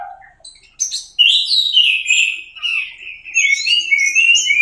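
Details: Orange-headed thrush (anis merah) singing teler style as tutor material: a soft low note opens, then a sudden run of descending whistles and rapid warbling continues to the end.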